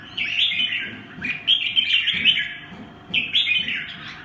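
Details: Red-whiskered bulbul song: lively bursts of sweet, slurred chirps in several phrases, separated by short pauses, with soft low thumping in the background.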